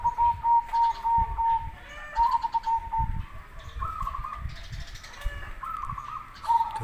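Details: Loud zebra dove song, local versus crossbred birds, used as a lure recording for answering doves: strings of quick, evenly pulsed coos repeated in phrases, then slightly higher drawn-out notes, with soft low thumps underneath.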